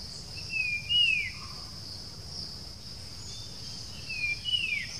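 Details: Puff-throated babbler giving its persistent whistled call during Sunday birdwatching near Bangalore, India, 07-06-2020: two loud downward-sweeping whistles about three and a half seconds apart, the first trailed by a soft low note, with steady insect buzzing throughout.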